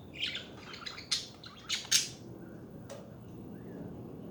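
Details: Budgie chatter: a quick flurry of scratchy chirps and squeaks for about two seconds, then a single click over a steady background hiss.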